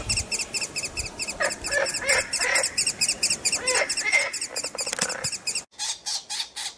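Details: Hungry woodpecker chicks calling for their parents and food: a rapid, steady churring of high, raspy notes, joined midway by lower, softer squeaky calls, with a brief break near the end before the chatter resumes.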